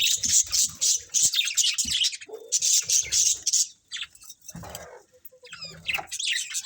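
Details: Colourful budgerigars in a colony chirping: continuous fast, high scratchy chatter and warbling for several seconds, a brief lull with low rustling, then renewed chirping toward the end.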